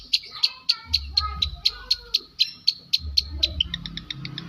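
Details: Long-tailed shrike from South Malang mimicking lovebird and canary: high piercing chirps repeated about four times a second, ending in a quicker, thinner twittering run; low hum in places.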